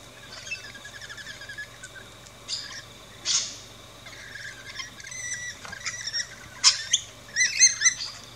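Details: Rainbow lorikeets at a backyard feeding station in Australia, giving scattered high chirps and a few sharp, harsh squawk bursts near the end.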